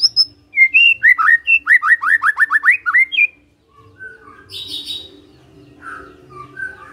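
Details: A Magpie-robin gives a rapid, rhythmic series of loud whistled notes that sweep down in pitch, followed by quieter high chirps and soft warbled phrases.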